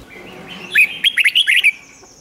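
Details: A loud, clear phrase from a Red-whiskered bulbul: a string of six crisp, liquid notes rising and dipping in quick succession. A soft thin whistle sounds before it. The song is played for caged birds to excite them.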